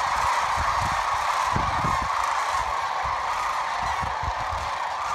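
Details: Evening fly-in of many sandhill cranes on Nebraska's Platte River, with an unbroken wall of overlapping rattling, bugling calls from the flock and soft low thumps scattered underneath.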